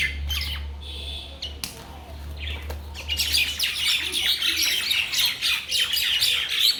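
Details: Bangladeshi mynas: a few scattered squeaky notes over a steady low hum, then from about three seconds a burst of loud, overlapping chirping and harsh chatter from several birds.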